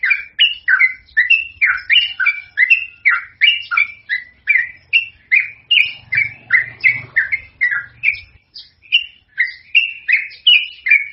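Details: Trucukan, the yellow-vented bulbul, delivering a long, energetic song used as a lure. Quick series of liquid, downslurred whistles repeated rapidly, with faint low rumbling in the background midway and a short gap near the end.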